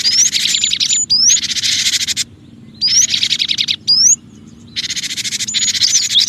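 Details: Cinereous tit (gelatik batu), used as a lure for other birds: long harsh, broad buzzy scolding rasps interspersed with single high rising whistles, with brief silences between bouts.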